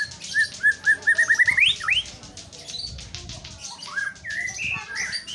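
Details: White-rumped shama song: a string of short whistles speeding up and climbing into a rising sweep, then loose, varied whistled phrases at differing pitches, with soft rustling between notes.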